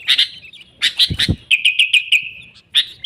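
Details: Lure recording of sooty-headed bulbul for attracting wild birds: clustered liquid chirps and a run of short repeated notes, with two brief low thumps near the middle.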